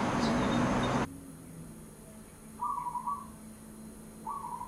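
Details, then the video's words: A zebra dove in a Bangkok neighbourhood gives short, soft purring coo notes in two brief bursts after a second of loud rustling noise, with a low hum underneath. "Listen to the Call of the Zebra Dove"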